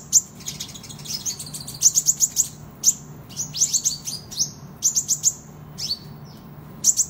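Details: Van Hasselt's sunbird in energetic competition song, recorded as a master track: clusters of shrill, very high ticks and short descending slurs, repeated in uneven bursts over a soft constant hum.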